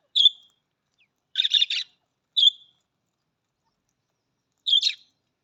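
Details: Budgerigar calling: clear whistled chirps alternating with buzzy grating chatter, separated by long silent gaps, four bursts in all.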